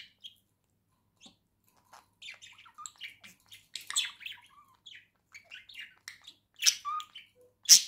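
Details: Two pet budgerigars at home, November 2024, warbling: soft scattered chirps build into a dense stream of twittering, buzzy and squeaky notes, ending in a few loud sharp squawks.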